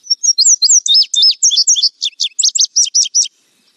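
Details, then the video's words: An Indigo Bunting sings a bright, high run of quick, sweet notes, many in pairs, lasting about three seconds, then falls silent. "Suara Masteran Burung Indigo Bunting"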